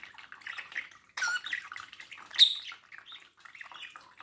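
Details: Domestic budgerigar chattering before a mirror: rapid mixed warble of chirps and rasping squeaks, growing denser after the first second, with one sharp high peep midway.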